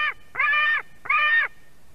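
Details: White-tailed eagle nestling in Durbe, Latvia, begging loudly at a fish delivery on the afternoon of 31 August 2020: the tail of one scream, then two long, grating, harmonic screams half a second apart.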